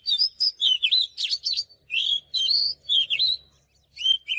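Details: Oriental magpie-robin song of rich, fluty whistles and sharp chirps, phrases rising then dipping in pitch, given in quick succession with a brief silence before a final burst; faint low rumble underneath.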